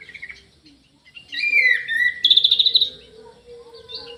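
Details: Captive Orange-headed thrush in an aviary sings a descending slurred whistle, then a fast rattling trill of repeated high notes over a steady low hum.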